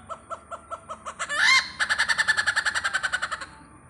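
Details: Great hornbill visiting Pathanamthitta: a run of evenly spaced hollow barking notes quickens, breaks into one loud, harsh, rising squawk, then gives way to a rapid, rough, pulsing series that fades near the end.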